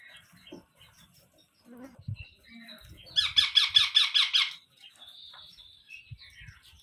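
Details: Baby Indian ringneck parrots being fed: quiet shuffling, then one loud burst of about eight rhythmic, rasping pulses, followed by a faint thin whistle and soft knocks.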